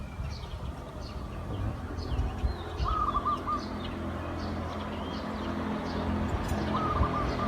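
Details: Trained decoy zebra dove luring wild doves. Two short rolling, trilled coo phrases come about four seconds apart over a low rumbling background. Soft chirping from other small birds is also heard.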